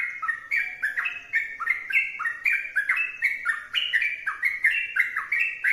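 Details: Sooty-headed bulbul singing vigorously at length: a steady run of short, bubbly, liquid whistled phrases, each note stepping up or down, tumbling on without pause.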